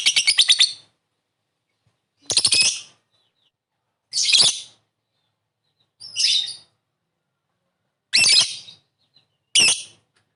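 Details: Lovebird calling in ngekek style, meant to prompt a quick response: six short harsh rasping bursts, each under a second, spaced about two seconds apart with silence between.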